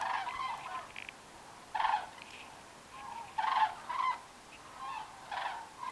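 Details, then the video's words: Flocks of cranes migrating south at night over the French Pyrenees near Aspet give distant rolling, trumpeting calls in irregular bursts every second or two, several birds overlapping against a soft hiss. "Sound of cranes migrating"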